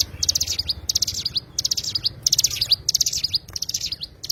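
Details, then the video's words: Oriental white-eye (cigun) delivering separated high, sibilant phrases of rapid notes with descending slurred tails, about one phrase every two-thirds of a second, over faint low rumble. "burung cigun"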